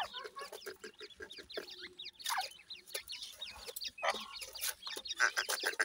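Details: Grey francolin chicks under breeding care; rapid overlapping high chirps and short clucks, irregularly spaced, rising and falling in loudness.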